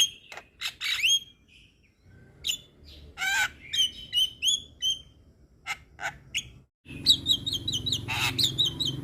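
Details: Young Javan myna giving energetic, varied song: sharp whistled notes and clicks, scratchy rasping phrases, a pause, then rapid high whistled trills over a low background hum.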